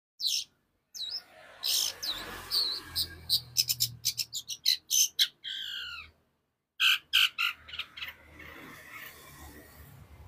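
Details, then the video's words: Rapid long-tailed shrike song: loud harsh squawks giving way to a quick volley of clipped chirps and rattling notes, a brief silence, then more fast chirping over a low background hum. "CENDET GACOR SPEED RAPAT"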